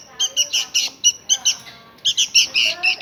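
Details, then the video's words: Hungry sooty-headed bulbul nestling begging: a rapid series of harsh, high, buzzy squeaks, about four per second, in two bursts. "Kelaparan Anak Burung Kutilang"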